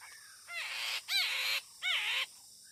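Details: Chinese hwamei close to a bird-luring trap: three scratchy, rasping bursts, each starting with a ringing arched note, spaced about half a second apart, with soft whistled notes at the start and end.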